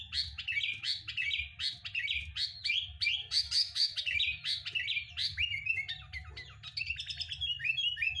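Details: Sooty-headed bulbul song used to trigger singing in kept birds: a dense, continuous chatter of bright whistled notes and sharp chips over eight seconds, ending in quicker rising phrases, with low hum underneath.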